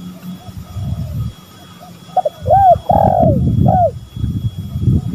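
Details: Male and female spotted doves call in a lure recording: a quick pair of clipped notes, an arched coo, a long sustained coo sliding down, and a final short coo, over low rumbling background noise.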